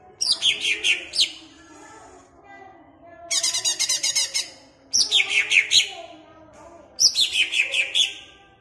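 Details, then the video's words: A kept greater green leafbird (cucak ijo) from Jatirejo, Ampelgading, Pemalang sings loud, rich bursts of sweeping, descending whistles and rapid chattering trills, phrases every couple of seconds, played to make other leafbirds fired up and aggressive. "BUAT CUCAK IJO MU CEPAT EMOSI"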